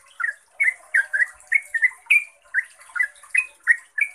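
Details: Rapid lure song of a yellow-vented bulbul, used to make kept trucuk birds sing. Crisp, slurred chirps follow one another roughly three per second, some sharply rising, others falling, with a steady faint hiss high above.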